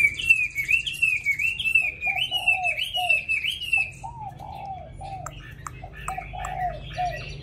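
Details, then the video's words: Caged, tamed Hwamei singing in a wild-type voice: a steady chain of rolling, undulating whistles, then a series of lower slurred notes with sharp high clicks, ending in quieter scattered phrases. "họa mi thuần giọng rừng hay cực mau mỏ hót suốt móc ra là hót"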